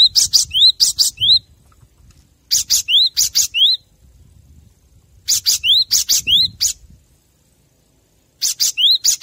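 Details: Cinereous tit song used as a master recording to train captive birds: bursts of sharp high chips, each phrase ending in a rising whistled slur, phrases separated by pauses of about a second.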